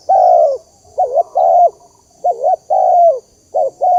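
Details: Spotted dove call used as a lure for trapping: low, hollow coo phrases repeat about every one and a half seconds, each a quick double-looped note then a long, level, falling-off coo.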